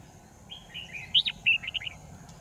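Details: Red-whiskered bulbul decoy bird in a trapping setup, 10 December 2018: a short run of gliding whistles rising into two loud bright notes and quick chirps.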